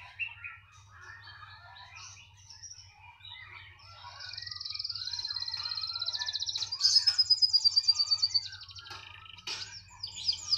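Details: A canary, described as singing freely wherever it is put, builds from scattered chirps into a long, loud buzzy roll, then a fast pulsed trill of about ten beats, ending in sharp squeaks, over a faint low hum.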